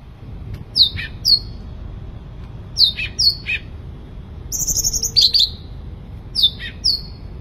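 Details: Sooty-headed bulbul in full vigorous song, repeating paired down-slurred whistles several times, with a high buzzy rattle inserted midway.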